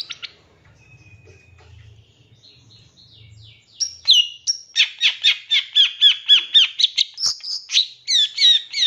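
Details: Long-tailed shrike song used as a master recording to train captive birds, in the rich 'full isian nembak' style: after a quiet start with a low hum, a rapid series of loud, sharp, buzzy descending notes repeated about four per second.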